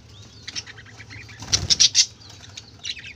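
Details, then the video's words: Colorful budgerigars chattering with high chirps and warbles, interrupted midway by a burst of wing flapping and a few loud squawks, then soft twittering. "কালারফুল পাখিদের চেঁচামেচি ৷ বাজিগর পাখির ডাক"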